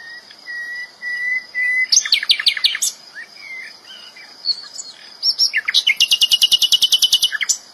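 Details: Flycatcher (sikatan Londo) in the wild with lively song: long, even whistles open into bursts of clipped notes, then a rapid, very high ticking series of about twenty notes, with a steady high insect-like hum behind.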